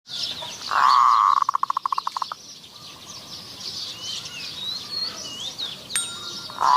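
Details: Zebra dove used as a decoy to lure wild doves at Wapi Pathum, Maha Sarakham, Thailand: a loud sustained coo breaking into a rapid stuttering roll of about a dozen pulses, against constant buzzing insects and distant birds.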